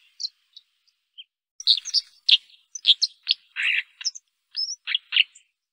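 A White-throated dipper sings a rapid, scratchy jumble of high chirps, buzzes and thin whistles, with brief pauses between bursts.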